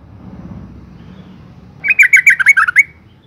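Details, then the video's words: Yellow-vented bulbul (Pycnonotus goiavier), female calling to males, used as a lure: a quick run of about nine bright, bubbly chirps over a second, after a low background hum. "suara panggilan burung trucuk betina gacor NGALAS pancingan TOP trucukan jantan stres"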